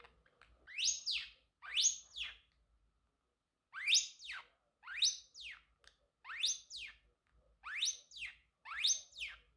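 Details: Male Pacific parrotlet kept as a pet, calling with a series of loud, harsh upward-sweeping chirps, mostly in pairs, with near-silent gaps between them.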